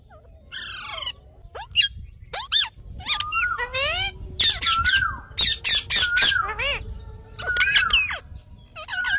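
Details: Rose-ringed parakeet giving natural calls: a rapid series of loud, harsh squawks and screeches, many with sweeping rising-and-falling harmonic bands, coming in quick bursts with short gaps and a low background rumble.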